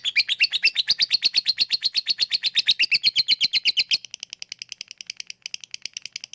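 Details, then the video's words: Lovebird chattering in the 'ngekek' style, used to coax lazy lovebirds into sound: loud rapid squeaky chips for four seconds, then a quieter, thinner run of clicks. "Ngetik lanjut ngekek@Pancingan untuk Lovebird yang malas bunyi"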